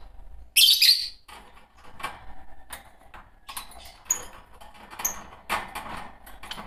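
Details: Green Fischer's lovebird pair: a single loud, harsh, high chirp burst near the start, followed by scattered soft clicks and faint short tweets.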